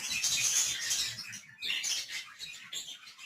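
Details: Budgerigars (parkit) recorded on 11 December 2022, giving dense high-pitched chirping and twittering chatter that fades briefly after the first second and a half, then resumes in scratchy bursts.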